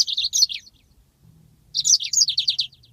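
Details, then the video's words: Yellow-fronted canary song for training birds: a dense phrase of high slurred notes, a quiet gap with low hum, then another phrase ending in a rolling trill of repeated buzzy notes. "masteran handal burung Mozambik ngeroll panjang"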